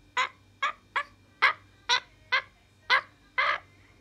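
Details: Francolin calling in a quicker run of eight clipped, grating notes, irregularly spaced two to three per second, the last slightly longer, with low steady hum behind.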